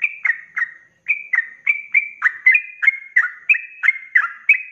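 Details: Fast ropelan song from a sooty-headed bulbul in full voice, recorded as a master for cage birds; clipped whistles, each slurring downward, repeat about three per second after a brief pause near the first second.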